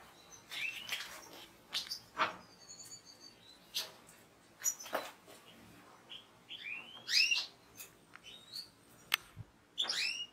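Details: European goldfinch from a fancier's collection giving scattered chirps and short rising whistled twitters separated by gaps, with sharp clicks in between.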